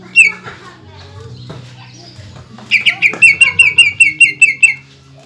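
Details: Greater green leafbird in a cage, singing energetically to provoke rivals: a single early chirp, then a quick series of about a dozen bright, clipped notes in a tight burst, with a low background hum.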